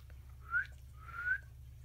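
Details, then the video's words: Female pet cockatiel perched on a picture frame indoors, sweet-talking to get attention at nap time: two soft, short rising whistles, the second longer, over a faint low hum. "Cockatiel sweet talking me"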